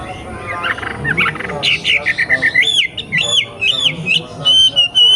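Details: Young wild wambi begins with scratchy chatter, then switches to loud ringing whistled notes, each sweeping up and over, repeated about twice per second.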